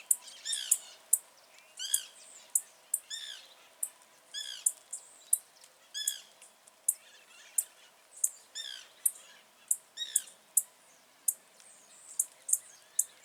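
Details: Blue-black grassquit in the wild, giving a steady series of brief, piercing high notes about twice a second, while other birds add frequent arched, harmonic chirps in the background.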